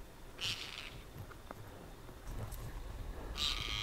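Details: Harsh, noisy calls from a Tibetan partridge during a frozen Ladakh mid-winter in the Himalaya: two short rasping bursts about three seconds apart, over a steady low background hum.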